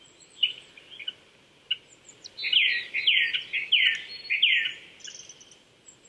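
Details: Japanese thrush song in April woodland at 800 m, Chichibu, Saitama, Japan, morning: a rapid run of repeated clear whistled notes in the middle of the clip, softer scattered chirps and faint high calls of other birds around it.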